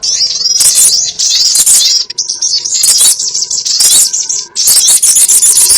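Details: Sharp, high twitters and slurred trills of crimson sunbird for trapping, in dense bursts separated by short pauses, with a faint thin steady tone showing in the gaps.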